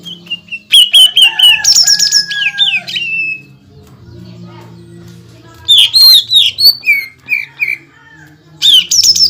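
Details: Greater green leafbird delivering dense, rapid song, used to stir other leafbirds. Fast repeated whistles and buzzy, rising and falling notes come in three loud bursts separated by quieter gaps with a low hum.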